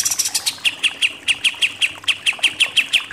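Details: Pied triller, known locally as kapas tembak, in the rapid 'nembak-nembak' song style used as a training recording for contest birds: a brief high jumble, then about a dozen evenly spaced sharp notes repeated several times per second.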